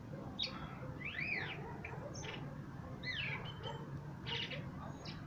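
A common blackbird sings mellow, arching whistled phrases that rise and fall, with thin squeaky notes between them, over a steady low rumble.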